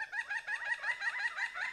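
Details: A Pileated Woodpecker, recorded from the street outside a home, gives a rapid, rhythmic whack-a-whacka series of nasal, wavering notes, about five per second.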